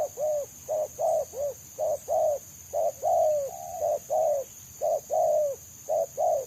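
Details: Free-living spotted dove whose rapid, tightly spaced selang nguku song draws trappers; loud, rounded coos come in a quick, fairly even series about once a second, some notes slurring downward, over a faint steady hiss.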